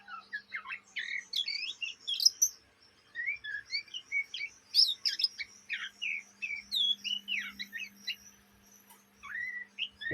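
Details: Oriental magpie-robin, young kept bird from Indonesia, chattering song. Long jumbled medley of squeaky whistles, dry chips and twisting slurs with brief gaps, ending in a sharp downward note; steady low hum beneath.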